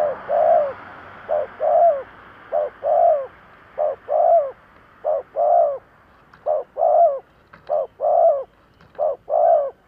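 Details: Decoy spotted dove cooing to lure wild doves: low, mellow two-part coos in short-then-long pairs, repeated steadily about every second with brief gaps between phrases, over a quiet background.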